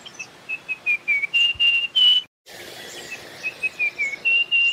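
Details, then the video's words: Russet-crowned warbler giving two phrases of clear whistled notes, short level whistles that lengthen and step up to a higher, longer final note, with faint high chips from other birds behind. "Russet Crowned Warbler Bird Sound, Bird Calling"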